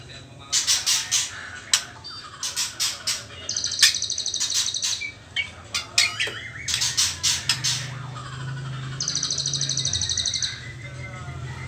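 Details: Juvenile white-rumped shama at trotol stage, before pastol, uttering many sharp clicking notes and two bursts of rapid, very high pulsed trill, with a low hum underneath late on.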